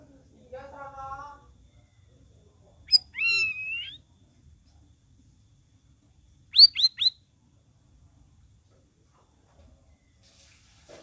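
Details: Sooty-headed bulbul song, used as a lure to prompt stalled cage birds to sing: a low, harmonic-rich whistled phrase, then a rising slurred note, then a quick burst of three sharp notes, with quiet gaps between.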